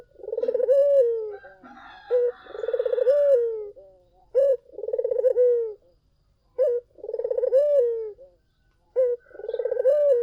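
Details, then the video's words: Collared dove (puter) singing in the lively gacor style, a recording used as a lure to draw answers from other doves: low throaty coos, each opening with a sharp note and then a rolling pulsed phrase, repeated about every two seconds. "SUARA BURUNG PUTER GACOR! 100% pancingan ampuh,puter kamu pasti katut"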